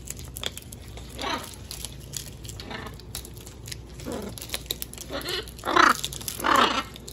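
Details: Wild macaws visiting a balcony: harsh, raspy squawks break out at irregular intervals and grow loudest near the end, over a background of rustling and light knocking.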